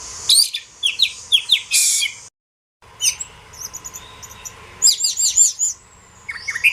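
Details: Kacer, the Oriental magpie-robin, singing for songbird tutoring (masteran): sharp high chirps and short whistled notes in quick clusters, broken by a silent gap, then dense bursts of rapid notes and a final rising whistle.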